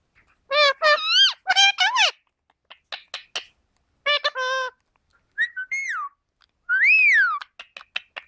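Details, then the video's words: Pet Indian ringneck parakeets talking, imitating human speech: clusters of harsh, buzzy, word-like phrases in quick bursts, then a rising-and-falling whistle, a long arched whistle and sharp clicks, with silent gaps between phrases and no background noise. "indian ring necks parrots talking"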